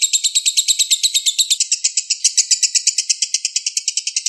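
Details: Juvenile lovebird (balibu, below five months) singing tight, prolonged bursts as master song; quick shrill chirps about three per second, a brief change in tone midway, then continuing evenly.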